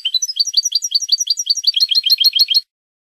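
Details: European goldfinch song from a Spanish training recording for cage birds: rapid twittering trills of short chirps about three per second, bright and high, rising into a denser run near the end, with no other sounds.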